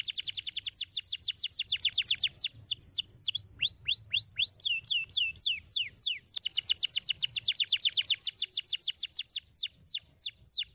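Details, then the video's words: Fast canary song in the rolling ngeroll style, long runs of quick high descending sweeps that slow into wider looping notes midway, then speed up again into a dense repeated trill. "Kenari mantap tercepat bikin kenari bunyi ngeroll"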